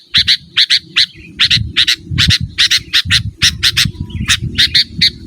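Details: Sooty-headed bulbul calling to a rival, used to lure wild birds and to train cage birds: loud, harsh, chattering notes, mostly in quick pairs, repeated over and over, with low background rumble.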